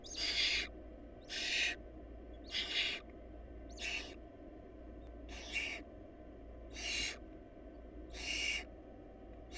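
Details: Barn owl nestlings in a nest short of food, giving harsh broadband hissing screeches about half a second long, repeated roughly every second, with a steady low hum underneath.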